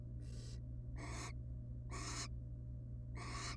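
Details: Nest box with a resting wild barn owl family: four loud, noisy hissing screeches in quick succession, close to one a second, each about a third of a second long, over a low steady drone.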